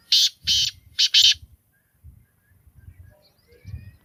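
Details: A black francolin, or Sindhi teetar, calls: four harsh, buzzy, grating notes in two quick pairs, then quiet with soft low thumps and rumbles in the background.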